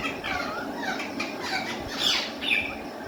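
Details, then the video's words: Caged ringneck parrot talking in Urdu or Hindi: soft, hoarse, speech-like chatter builds into two louder squawked syllables toward the end, over steady background hum. "ringneck parrot beautiful talking in cage"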